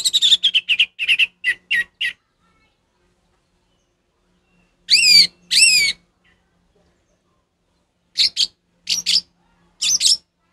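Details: Orange-headed thrush in ngeplong song, meant as training material for a captive bird that won't sing: a quick series of chirps, then two loud rising-and-falling whistled notes, followed by three short, spaced, buzzy phrases.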